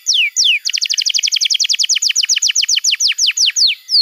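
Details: Canary song played as a tutor and trigger for young or silent canaries: two sharp downward-sliding whistles, then a long, fast run of steeply descending notes that gradually slows, ending with another falling whistle.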